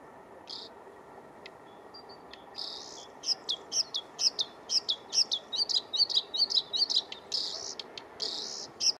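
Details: Bluethroat in spring, a few soft notes first, then a loud quick series of sharp high chipping notes building into a buzzy trilled flourish, repeated more than twice per second.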